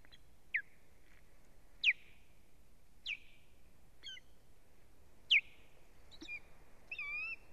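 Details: Nesting female osprey under attack from unfamiliar ospreys, live nest camera, 1 May 2017: piercing downslurred whistles roughly every one to one and a half seconds, mixed with shorter clipped notes and a brief run of higher chirps near the end.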